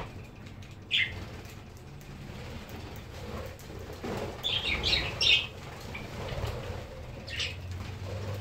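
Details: Several normal-type pet budgerigars in Erbil, Kurdistan, giving brief, high chirps and a short scratchy warble over soft background noise.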